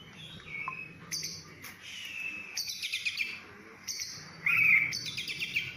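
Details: Oriental magpie-robin (kacer) singing: sparse high whistled notes and short buzzy bursts separated by quiet gaps, one louder scratchy phrase near the end, with faint low background hum.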